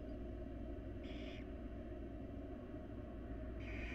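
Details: Begging barn owl nestlings in a wild nest box as the mother brings food, giving two drawn-out rasping hisses about two and a half seconds apart against constant low background rumble.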